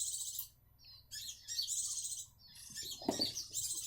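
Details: Captive-bred Grey-cheeked bulbuls in South Jakarta, Indonesia, perching on the second day after being taken from the nest. Harsh, hissing high chirps come in bursts of about half a second to a second, separated by short quiet gaps, with faint low hum.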